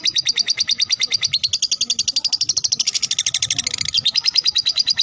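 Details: Fighter lovebird singing ngekek as a lure for other lovebirds: an unbroken string of piercing chattering notes, roughly three a second, with the pitch jumping higher partway through and then settling back.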